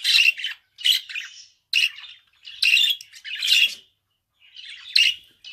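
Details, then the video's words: Pet budgerigar singing in broken bursts of hoarse chatter and squawks, separated by short silences, one softer rising phrase near the end. "Kuş sesi - Muhabbet Kuşu"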